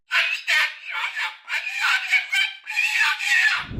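Moluccan Cockatoo giving a run of harsh, raucous screeches, about five or six grating bursts in under four seconds, each loud and rasping.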